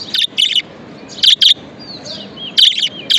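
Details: Pet budgerigar chirping in bright, harsh paired notes, with a faint sliding whistle between bursts and quiet room noise behind.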